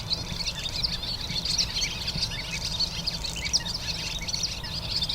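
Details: Barn swallow song in summer: a continuous chattery, bubbly, fairly musical twittering of quick, high notes, with a low rumble of background noise underneath.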